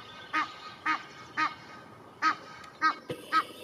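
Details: Egyptian goose from a family of two adults and a young gosling lazing in Parc de Monsalut, Cestas, France, spring 2023: six loud, harsh honking calls at roughly half-second intervals, each a short nasal burst, over a quiet park background.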